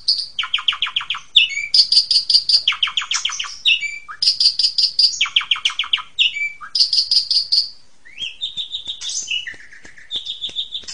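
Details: Asian pied starling master song for young birds: repeated harsh buzzy bursts alternating with clear high pulsed notes, then a few short whistles near the end.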